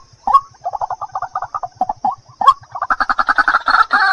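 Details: White-breasted waterhen calling as a bird lure, a rapid stuttering string of harsh croaks that builds into louder, dense, grating chatter near the end, with a soft low hum underneath.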